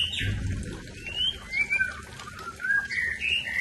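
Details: Aceh white-rumped shama giving short fluty whistles that slide up and down, spaced loosely, ending in a brighter pair of rising notes; a soft low thump sounds near the start.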